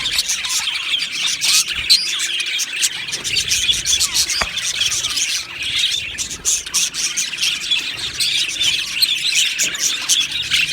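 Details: Aviary colony of Australian budgies singing and chirping: a dense, continuous wash of high chirps, squawks and warbles from many birds at once, with sharp clicks scattered through it.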